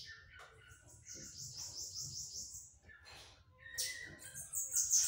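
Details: Softer bananaquit song of the 'pitiú' beat type: a series of buzzy high downstrokes followed by a pause and a louder, harsh burst at the end, with low rustling beneath.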